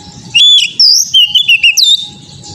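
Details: Oriental magpie-robin, in audio meant to train young birds to sing, delivers a dense phrase of bright swooping whistles, rapid trills and a high upward flourish, with a constant low hum behind it.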